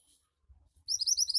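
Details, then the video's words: Javan white-eye (mantenan) singing in gacor style: faint low knocks and rustles, then a burst of quick, very high upslurred twitter notes that begins near the end and is cut off. "Burung Mantenan Gacor Cepat Bikin Burung Mantenan bahan cepat ngoceh"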